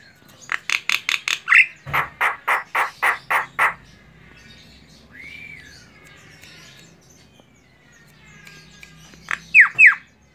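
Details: Female Javan myna delivering a harsh, rapidly repeated series of broadband squawking notes, a soft arched whistle in the middle, and two sharp falling notes near the end, over a faint low background hum.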